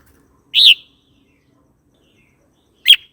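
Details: Red-whiskered bulbul, a recording used to provoke other birds and to train young birds: a short loud fluting note, a pause of two seconds, then a brief sharp chirp, against near silence.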